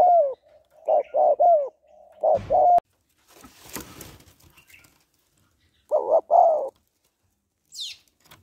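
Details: Female spotted dove calling to excite a male, with cooing: low, hollow coo phrases in short two- and three-note bursts, a pause filled by a brief rustling noise burst, then another coo phrase and a faint high note.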